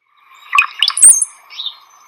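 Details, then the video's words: Brown-headed Cowbird song: a few low, liquid gurgling notes bubbling up into a thin, very high slurred whistle, like water bubbling. "it's almost like water bubbling. It's a very interesting water bubbly kind of sound. Let's listen. Okay,"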